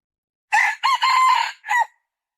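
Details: Red junglefowl crow, loud and grating: two quick opening syllables, a sustained rough middle section and a short separate closing note, with a quiet background.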